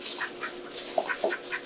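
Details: A couple of ducks in the waterfowl room of a wildlife rehabilitation centre, mostly waiting for migration to be released, give short, nasal quacking notes, several in under two seconds, over steady indoor hiss.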